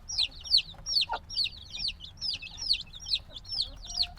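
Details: Black chicks hatched just days earlier, still dependent on their mother's warmth, call with high shrill chirps sweeping downward, overlapping from several birds, plus a short lower sound near the start.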